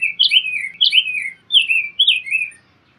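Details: Song of the rose-breasted grosbeak: sweet, robin-like whistled syllables, paired slurs that drop in pitch, delivered in a quick run of four or five notes before a brief pause.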